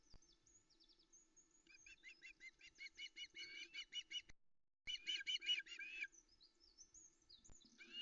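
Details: An Osprey female waiting on her Loch Arkaig nest for a fish delivery, early morning, 13 August 2020. Shrill chirps build into a quick, uneven run, break briefly, then return as a dense loud burst.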